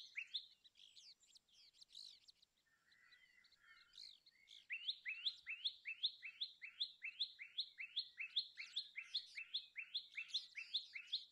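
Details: Common tailorbird singing: after a few scattered high chirps and a short pause, a long run of loud, sharp, upward-sweeping notes repeated steadily about two and a half times a second.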